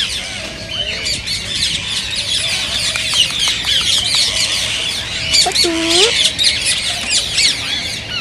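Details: Chorus of green ring-necked parakeets used to encourage singing and mating, with constant high twittering and chirps and a brief deeper, drawn-out squawk with ringing overtones midway.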